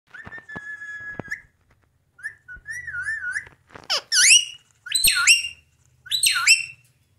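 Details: Ring-necked parakeet calling: a long steady whistle, a wavering warbled whistle, then loud harsh rising-falling squawks repeated about once a second.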